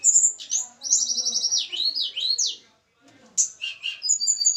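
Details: Javan tledekan gunung, small sweet-voiced songbird kept for pairing; a fast rippling trill sweeps into buzzy zigzag slurs, falls silent briefly, then resumes with high whistles and short chirps.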